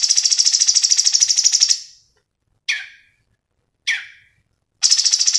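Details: Lively cucak cungkok song used to tutor other birds, alternating long high buzzy pulsed trills with single harsh downslurred notes spaced about a second apart.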